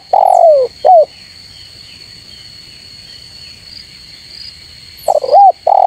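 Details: Spotted dove calling rivals with loud, low, throaty coos, each note bending downward, two at the opening and a quick burst near the end, while a constant shrill insect drone runs underneath.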